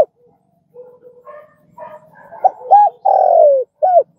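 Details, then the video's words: Spotted dove for training caged decoy birds: soft lower notes build into a clipped note, a rounded coo, a sustained descending croo and a final arched coo. "Tiếng cu gáy"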